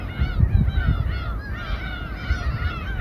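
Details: A chorus of gulls over a fishing boat at Samgilpo harbour, Seosan, South Korea: many overlapping harsh, down-slurred mewing cries without pause, over a steady low engine rumble.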